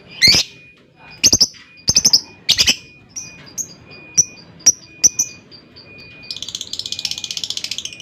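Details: Lovebird in a lure recording for long ngekek chattering: harsh triple squawks, then a string of thin high chirps, ending in a fast buzzy rattling chatter of rapid repeated notes.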